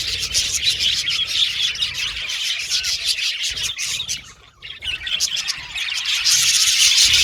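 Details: Caged budgerigars, many birds in an aviary colony, singing and chirping while playing in their cage; dense high chirps and warbles run almost nonstop, dipping briefly to near quiet midway before swelling again louder.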